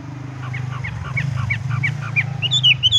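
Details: Horsfield's bush lark in 'tung roll' style, rolling straight into 'ngerol': a quick series of short chirped notes repeated several times a second, ending in higher whistled slurs, over a steady low engine-like hum.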